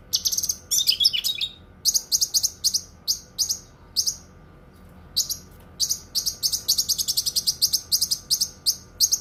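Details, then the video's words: Cucak kinoi opening with a jumbled twittering burst, then repeated sharp high chirps, a pause of about a second, and a dense rapid series of chirps. "Suara Kicauan Burung Cucak Kinoi"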